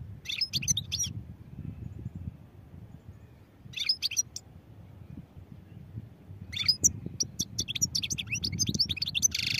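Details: Three bouts of quick, high-pitched jingling twitters and buzzy notes from a European goldfinch, the last phrase longest and most varied, with low background noise between bouts.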